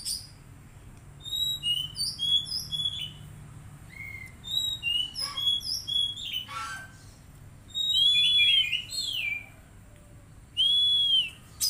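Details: Untrained caged magpie-robin, kept in daily care and used as therapy to bring a young bird into song: varied clear whistled notes and quick slurred sweeps, some rising then falling, in bursts with short pauses.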